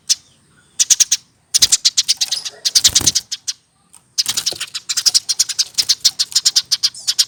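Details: Caged hand-reared Eurasian tree sparrow over one year old, pouring out rapid chattering chirps in long, slightly irregular runs with a few short breaks.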